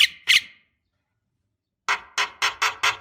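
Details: Javan myna giving two loud harsh squawks, then after a silence a rapid series of five grating, raspy notes. The sounds serve as a lure for young mynas.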